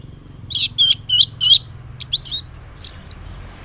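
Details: Orange-headed thrush in morning ngeplong song, used as a lure for silent males: four high whistled notes, then varied twittering and slurred phrases.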